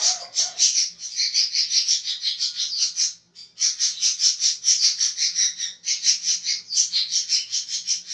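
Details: A budgerigar gives a continuous harsh, coarse, scratchy laughing chatter of rapid buzzy notes, broken by two brief pauses; used as a song-tutoring recording.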